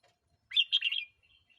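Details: Red-whiskered bulbul song meant for playing to provoke new or wild birds or to teach young birds: one short bright warbled phrase of a few quick notes around the upper-middle pitch, lasting about half a second, in a quiet background.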